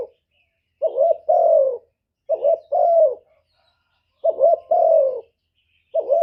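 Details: Spotted dove decoy calling to lure wild males: soft, mellow two-note coos, a quick hoot and then a longer falling one, given roughly every one and a half seconds against silence.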